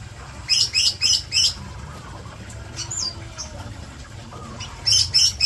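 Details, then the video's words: Greater green leafbird at breeding time, giving bursts of high, thin chirps in quick groups of four, a pause with a few scattered notes, then another quick burst near the end over low background rumble. "breeding CucakIjo"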